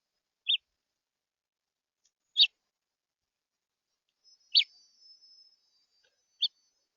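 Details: Central Florida red house finch uttering four separate bright, high chirps spaced about two seconds apart, with a faint thin whistle trailing between them.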